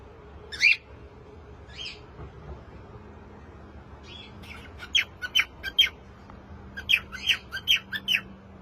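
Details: Cockatiel giving short scratchy chirps, a few spaced calls and then a quick run of rapid chirps, over a steady low room hum.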